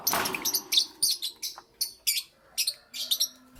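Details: Steady morning chirping by lovebirds, a string of sharp, buzzy high notes in pairs and triplets, fairly evenly spaced, with quiet lower chatter underneath.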